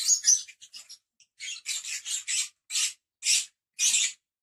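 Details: Lovebirds calling with shrill, rasping high chirps, a quick cluster at first, then longer buzzy notes spaced about half a second apart.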